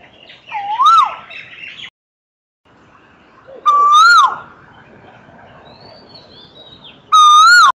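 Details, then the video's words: Asian koel singing: loud, clear whistled notes, each swelling upward then dropping sharply, three given roughly every three seconds, with a faint thin whistle from another bird between them. "噪鵑/Asian Koel(Eudynamys scolopaceus)singing"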